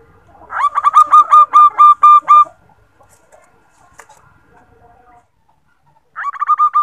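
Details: Calling the male, a female zebra dove used as a lure gives a long, even run of about ten clipped coo notes. Near-silence follows, then another series begins.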